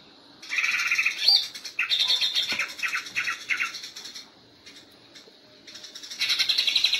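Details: Cucak ijo, the greater green leafbird, in 'ngentrok' contest-training song: bursts of varied loud chattering and harsh clipped phrases separated by short pauses, ending in a steady rapid high trill.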